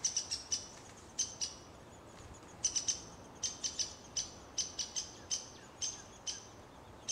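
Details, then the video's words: At Plymouth Township Park, Michigan, a Downy Woodpecker defends its territory and nest from a Hairy Woodpecker, giving sharp, high, clipped pik notes, singly and in quick pairs, about two to three a second, over a soft outdoor hush. "Downy woodpecker Defending Territory - Nest From a Hairy Woodpecker"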